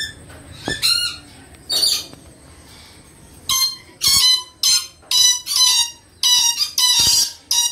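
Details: Moluccan red lory screeching loudly, harsh grating squawks repeated in quick bursts, about two each second toward the end, in an enclosed space.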